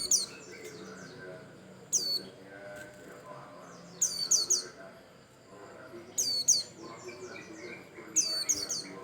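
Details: White-eye giving an energetic song used to trigger singing in other birds: clusters of shrill, downward-sliding chirps come roughly every two seconds, with faint voices and low murmuring in the background.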